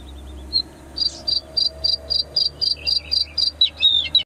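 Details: Bluethroat at the Saladar de Los Canos saltmarsh in January 2010: a steady series of bright, high clipped notes repeated about four times a second, ending in rapid varied twitters, over a low steady hum.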